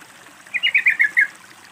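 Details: Single quick phrase of a Sooty-headed bulbul, used as a calling lure to start a silent bird singing, about six bubbly notes in under a second, slightly falling, soft water murmur behind.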